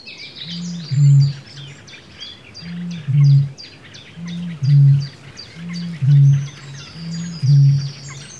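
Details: Booming male Eurasian bittern: deep, hollow low booms, each with a softer lead-in, sounding about every one and a half to two seconds, while many small songbirds chatter and whistle high above.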